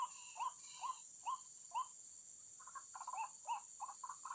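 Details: White-breasted waterhen lure call for bird trapping: four even, spaced croaking notes, then a faster, jumbled burst of overlapping harsh notes, over a constant high electronic whine.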